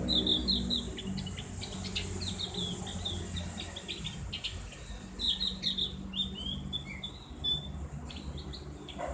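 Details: Javan grey-throated white-eye chatter used as ngriwik training for captive birds, loud open voice: quick high twittering notes and short whistled slurs, irregular bursts, steady low hum behind.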